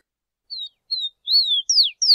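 A Rufous-collared sparrow sings high, clear whistled notes: two short level tones, then slurred downward whistles ending in a quick descending trill-like phrase.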